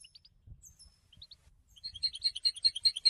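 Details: European goldfinch song starting with a few soft, thin high notes, then building into a quicker series of bright chirps repeated at a steady pace, with faint low rumbling underneath.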